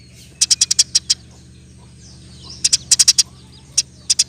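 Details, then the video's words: Eurasian tree sparrow in spirited roll-style chirping, intended as training material for other birds: two short runs of six to seven high, clipped chirps set apart by a quiet stretch, with a faint low hum beneath. "Burung gereja gacor. Roll tembak pas untuk masteran"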